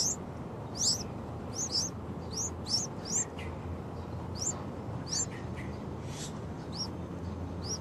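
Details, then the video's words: Young yellow-vented bulbuls, six days old: thin, high, upslurred chirps repeated in quick irregular bursts, some paired, over a steady low background hiss. "Day 6 - Pycnonotus goiavier Baby birds"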